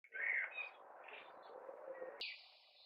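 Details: Male common blackbird singing in May from a tree in a neighbouring garden, a long way off; mellow fluted warbled phrases near the start over a steady low background hum, then a sudden shift to a higher hiss.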